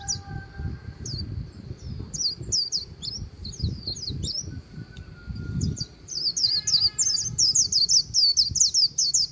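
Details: White-eye líu song recorded by the Kỳ Cùng river: spaced, sharp high chips that quicken into a rapid, excited run of twittering notes, with low rumbling background noise throughout.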